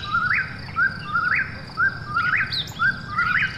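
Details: Eastern whip-poor-will calling after dark, steady loud phrases near once a second, each a level whistle climbing abruptly at the end, with a softer distant caller and low background noise.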